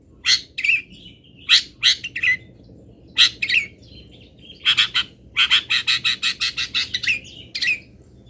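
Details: Long-tailed shrike from Pati giving 'isian' fill song: scattered harsh notes, then a fast run of about a dozen clipped rasping chirps, over light background noise.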